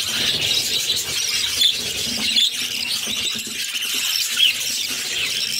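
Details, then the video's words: Budgie babies beg for food as their mother feeds the brood of six; a continuous buzzy, scraping squeal carries throughout, with a few short squeaky peaks. "Budgies baby feeding || Mother budgies feeding her cute babies"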